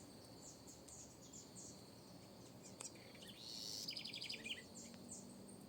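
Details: Backyard house wren giving one loud song near the middle, a bright burst of high notes that breaks into a fast, even trill of repeated notes, with soft scattered chirps and a constant high hiss behind.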